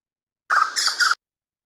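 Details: An ani gives its hawk alarm call, the special call used when a hawk flies over: three quick, harsh, rasping pulses in under a second, with nothing else heard.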